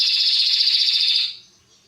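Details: Short passage of Atlantic canary song, for tutoring young birds: a single dense high rolling trill that holds steady for just over a second, then stops.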